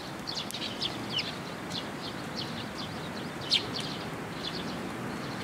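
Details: Young Eurasian tree sparrows come to be fed on a post at a Tenmangu shrine, June 1, 2022. Soft high chirps, one louder sharp note midway, steady background noise.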